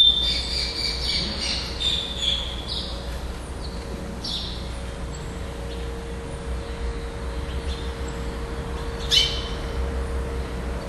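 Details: Chestnut-bellied seed finch, the first-place singer at a song tournament in Florianópolis, Brazil, on 11 December 2011, gives a burst of high clear whistled notes, then one late note, over a steady electrical hum.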